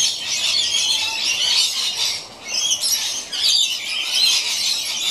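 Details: A pair of rainbow lorikeets at play on old rope high in a gum tree, giving near-continuous grating screeches and chatter, dipping briefly around the middle before resuming just as loudly.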